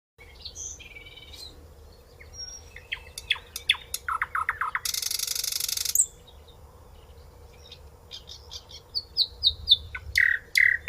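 Common nightingale singing varied phrases: sharp whistles, a fast run of repeated notes, a harsh buzzy burst, then rising clear notes, over a faint steady hum.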